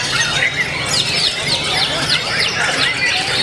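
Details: White-rumped shama (murai batu) in the main class of the Presiden Cup IV singing contest, hung on the outermost stand, said to sing harder against more rivals, alternating rolls and shots. Sharp, rapid whistled sweeps and chips; other birds and crowd murmur behind.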